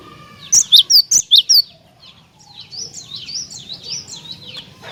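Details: Vigorously singing cinereous tit, its song played to lure other tits into singing: a quick burst of six loud, sharp, high notes, followed by softer continuous high twittering from other birds.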